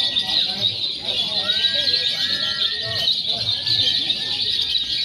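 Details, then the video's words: Training recording of lovebirds in a mock contest blending konslet, fighter and paud song styles; steady piercing chatter throughout, several smooth arching whistles in the middle, faint low sounds underneath. "SIMULASI LOMBA LOVEBIRD BEBAS AKSI (KONSLET, FIHGTER, PAUD)"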